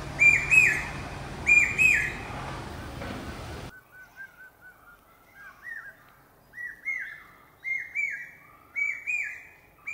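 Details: Common hawk-cuckoo (brain fever bird). Two loud, shrill whistled phrases are followed by a fresh series that starts soft and low and climbs steadily in pitch and loudness. The notes come quickly as short rising whistles, repeated with monotonous persistence.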